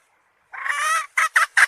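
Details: Hen calling: a half-second raspy, drawn note followed by three quick, punchy squawks.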